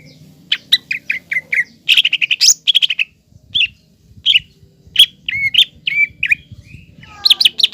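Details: Green leafbird singing hard to provoke a young speckled leafbird. A steady stream of sharp high notes and chattering bursts runs throughout, with looping whistled slurs in the second half.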